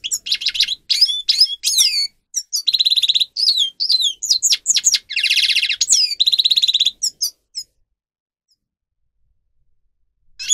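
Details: Grey-crowned goldfinch, song for training captive singers: about seven seconds of lively twittering mixed with harsh buzzy trills and sliding notes, then near silence until a final note.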